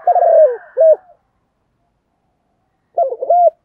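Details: Calling female spotted dove, used to excite males: a long husky coo and a short clipped one, then near silence, then a fresh pair of low coos begins.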